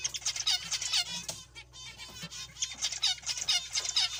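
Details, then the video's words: Zebra finches producing clear, repeated nasal beeps in rhythmic pairs and clusters, strong harmonic notes with softer chatter between. "Zebra finches"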